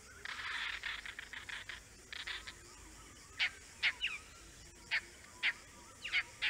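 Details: Oriental dollarbird in the Andaman Islands giving harsh, rasping chatter: a quick burst of rough, broadband notes, then single grating calls spaced roughly half a second apart, some in close pairs, over a quiet background.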